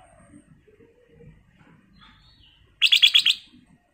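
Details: Black-crested bulbul giving a loud, brief burst of about five rapid, bright chattering notes, quickly repeated, after near-silence with only faint low rustling beforehand.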